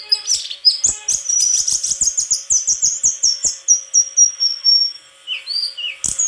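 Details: Rapid series of high, buzzy repeated notes from a white-throated flycatcher, slowing into a long thin whistle, then a couple of downslurred whistles.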